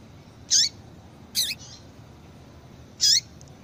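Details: Female double-collared seedeater calling, a recording used to stimulate males to sing: three short, high, sharp chirps with a downward-curving tone, spaced irregularly over about three seconds, over a faint steady background hiss.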